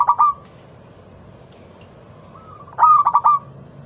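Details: Zebra dove of the local type giving a lure song to draw other doves into singing: a couple of sharp coos, a long pause with a faint tone, then a fresh run of quick staccato coos ending in a held note.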